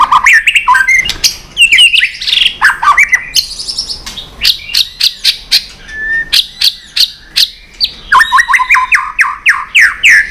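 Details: White-rumped shama in heated contest singing, tail flicking: a long, rich sequence of varied whistles and sharp clicking notes in quick rhythm, closing with a rapid string of descending whistled notes.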